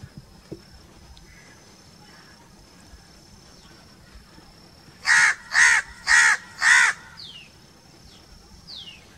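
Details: Crow calling four harsh caws in a quick, evenly spaced series about half a second apart, after a quiet stretch; faint descending bird whistles follow and a steady high tone runs throughout.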